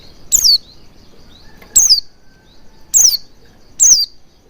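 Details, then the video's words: Oriental white-eye lure sound for getting a bird to sing with an open beak: four crisp, high, falling chirps at uneven intervals, with faint thin notes between them. "Pancingan Burung Pleci Agar Cepat Ngalas & Buka Paruh Maksimal"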